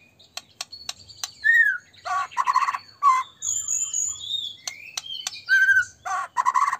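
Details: White-rumped shama song for provoking other birds: sharp clicks scattered between whistled downslurs, buzzy bursts and a long high thin whistle, phrases spaced by short pauses.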